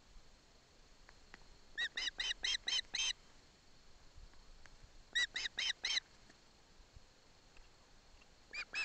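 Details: Ospreys in Barlinek Forest as the father hands a fish to the chick: short, rhythmic runs of five or six bright chirps, spaced a few seconds apart over faint hiss.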